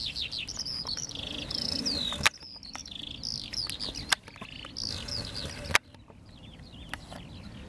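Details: Eurasian skylark singing over fields in Las Kabacki Nature Reserve on 20 April 2021: a rapid, unbroken stream of high trills, slurred whistles and chirps with brief pauses, over a low rumble of wind.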